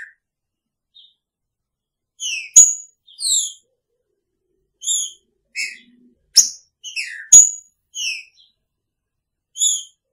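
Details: Captive green-winged saltator alongside its female: quiet start, then bursts of bright whistled and slurred notes with several crisp snapping clicks.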